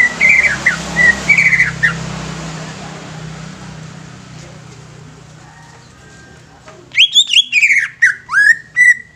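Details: Young greater green leafbird used to stimulate newly caught leafbirds: short bursts of bright whistled, slurred notes at the start and again near the end, with a long quieter stretch of background hum between them.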